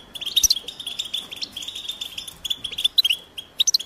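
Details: European goldfinch twittering, mating and readiness calls used to stir silent males into singing: rapid liquid chirps and short tinkling notes in quick bursts, with brief gaps between clusters.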